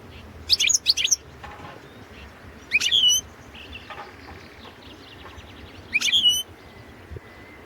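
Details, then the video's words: Caged European goldfinch of the Balkan subspecies Carduelis carduelis balcanica recorded for a 2017 world song championship in Serbia; three short bursts of bright, high twittering notes with upward-sweeping whistles, separated by quiet gaps of about two seconds. "Pesma štiglića 012/ 2017 Potić Sanja World championship in Goldfinch Song 2017"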